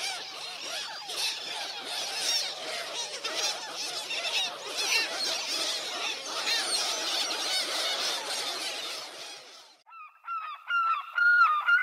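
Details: Gulls calling together in a dense, overlapping chorus of harsh cries. A single clearer, rising-and-falling call follows once the crowd noise drops away near the end.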